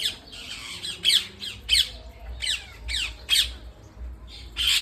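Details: Parrots at home giving loud harsh squawks roughly every half second, each a grating slurred note dropping in pitch, several birds overlapping, faint room hum underneath.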